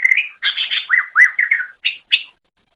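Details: Greater green leafbird, known locally as cucak ijo, in a masteran song for training songbirds. One quick burst of buzzy, rolling whistled phrases ends in two short sharp chips.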